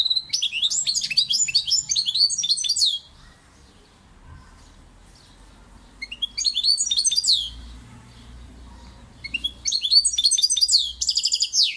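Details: European goldfinch delivering three separate phrases of quick, tinkling, jangly twitters, each lasting two to three seconds, with silent stretches of several seconds between them.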